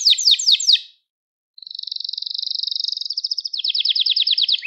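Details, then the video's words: Gloster canary, song for stimulating young canaries: a few swooping notes, a short gap, then a smooth buzzy trill merging into rapid repeated chirps. "Yok Böyle Bir Gloster Kanarya Sesi Ve Ötüşü | Kanarya Huylandırma | Kanarya Kızıştırma"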